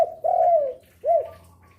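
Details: Spotted dove used as a lure, calling through the day and into night: a long, smooth, slowly falling coo followed after a short gap by a single rounded, arched coo.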